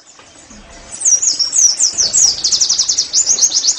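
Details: Oriental white-eye song used as therapy to get caged birds singing: after a quiet start, a fast run of high twittering notes, rapid rising-falling slurs repeated about four per second.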